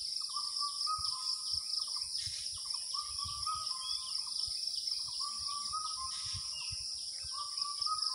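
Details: Early-summer Asian koel, in the month of Jyoishtho, giving its repeated kuhu call: series of brief, even-pitched notes grouped in bursts, half buried beneath a shrill, unbroken insect chorus.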